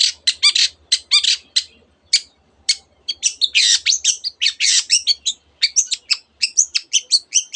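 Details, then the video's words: Long-tailed shrike in full song, mimicking canary and many other birds: a dense rush of high chirps, trills and buzzy notes in quick bursts, with short pauses near two and three seconds. "cendet gacor nembak nembak rapat isian kenari dan banyak jenis burung yang masuk masteran"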